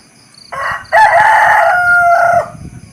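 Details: Close, loud rooster crow: a short rasping first syllable, then a long, sustained, strained note with a small downward step before it cuts off, over low rumbling background noise.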